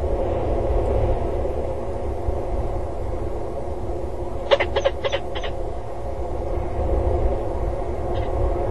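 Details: {'caption': 'Peregrine falcon flying and diving around a water tower on 5 February 2013 at 13:13: four quick, hoarse notes in a tight burst, then one faint note, over steady low wind rumble.'}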